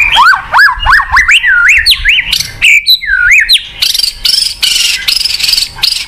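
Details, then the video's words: White-rumped shama song for getting a non-singing shama to start again: a run of clear looping whistles repeated in quick succession, followed by harsher, buzzy high bursts. "PANCINGAN BUAT MURAI MACET | WHITE RUMPED SHAMA SONG"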